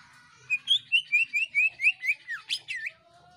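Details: Greater green leafbird singing gacor-style jeritan to prompt other birds to sing: about eight evenly paced high whistled slurs, then a few twisting, sweeping whistles dropping and rising.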